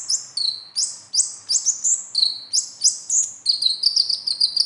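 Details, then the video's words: Konin, or kolibri ninja sunbird, giving a rapid besetan-style song meant to stir captive birds into singing: steady high chips with downward-slurred tails, some paired at a lower pitch, repeated roughly three times a second. "SUARA KHAS KONIN AMPUH UNTUK PANCINGAN KONIN BAHAN"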